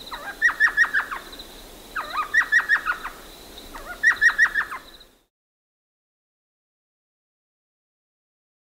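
Elf owl giving quick bursts of high, yelping notes, each burst about five notes long.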